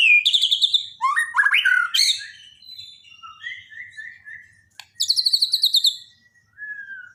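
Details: Daily master song of a Borneo white-rumped shama for training a bird that has stopped singing: quick high chattering bursts, tumbling descending slurs, soft whistles, a click, then another rapid high rattle and a falling whistle.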